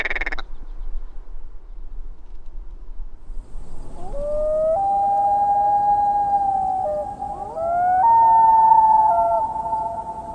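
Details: Common loon of coastal areas and large North American lakes, giving its plaintive song. After a brief sharp note and a quiet pause, long mournful tones are held for several seconds, sliding upward in steps and overlapping.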